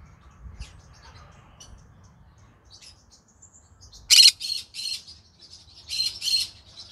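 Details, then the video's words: Evening vocalising by a green-cheeked conure: faint high twittering at first, then a burst of three rasping, harsh squawks, a short pause, and two more loud grating squawks. "come hear me sing together Green Cheek Conure Parrot Bird"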